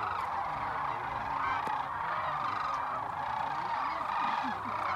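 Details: Large flock of sandhill cranes flying in around late morning to rest at Whitewater Draw, southeastern Arizona, 19 January 2019: a dense, steady chorus of rolling, trumpeting rattles that overlap without pause.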